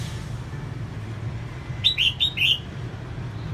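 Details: Female red-whiskered bulbul, singing to stimulate males, gives a single rapid phrase of four warbled whistles, the lower notes slurred, against a low background rumble.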